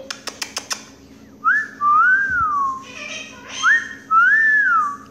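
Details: A pet female monk parakeet, indoors in a quiet room, calling "mommy" in a mimicked voice with clear, human-like whistles that rise and fall, each about a second long, after a few sharp clicks.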